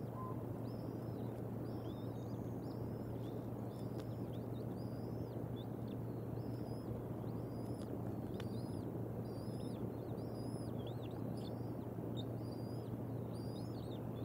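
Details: Two young bald eagle eaglets at the Decorah North Nest, during a peaceful feeding on April 5, 2021, give thin, high chirping notes in quick bursts throughout, over a steady low hum and rumble.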